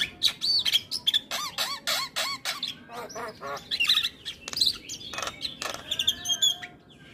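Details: Javan myna in vigorous song full of fill-in phrases for tutoring young mynas: repeated harsh squawks, clicks and looping whistles in rapid bursts, steady pace throughout.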